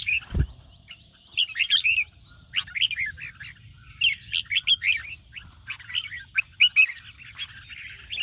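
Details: Red-whiskered bulbul singing 'ché' style in the morning to train contest birds; after a sharp knock at the start come bright chirps and high rising whistles in quick groups.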